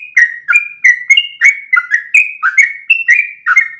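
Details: Sooty-headed bulbul giving its long rolling song, used to teach other birds: rapid bubbly whistled notes tumbling up and down in close succession, bright and clear.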